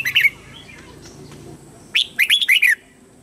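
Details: Red-whiskered bulbul serving as a lure bird to bring wild birds in to fight: a quick warbled note pair, a short pause, then a rapid string of five loud, bright, slurred whistles.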